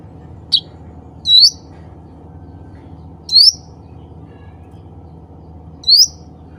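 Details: Cucak ranting bulbul call meant to summon others of its kind: a short high chip, then three clear upward-sweeping whistled notes spread over several seconds, each ending in a slight flutter, with steady low hum beneath.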